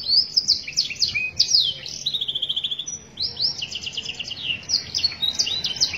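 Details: Master song of a canary for training other birds: rapid sharp chips and clicking notes, a smooth buzzy trill in the middle, then more dense bursts of high chirps and whistled flourishes, steady and loud throughout.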